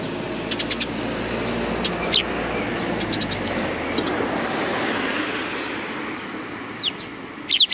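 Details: Sparrows arriving to be fed at a Tenmangu shrine's front approach on 29 May 2020; scattered thin, high chirps in twos and threes, with a couple of sweeping notes near the end, over passing traffic.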